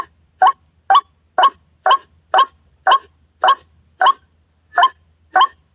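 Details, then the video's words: White-breasted waterhen, known locally as ruak-ruak, recorded as a trapping lure: loud harsh nasal notes repeated about twice a second at a slightly uneven pace, with a faint low hum underneath. "SUARA PIKAT RUAK RUAK"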